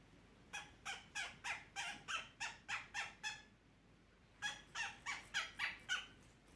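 A cockatiel gives two runs of harsh, raspy chirps, about three each second, with a pause between.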